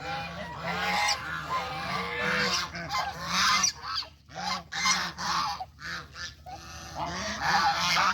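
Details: Geese walking through farm countryside to find food, a noisy flock honking rapidly in choppy, clustered bursts that grow more broken toward the end.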